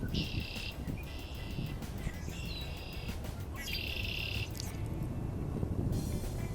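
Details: Several Red-winged Blackbirds in a cattail marsh in early spring, as snowpack melts, give high buzzy trills about once a second over steady low wind rumble, with another bird whistling faintly behind.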